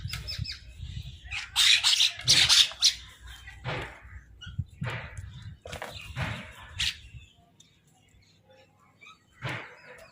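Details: Crows call while fighting over food: harsh, noisy caws in a loud cluster over the first three seconds, then scattered rasping bursts, the last one near the end. There are low thumps and background rustling.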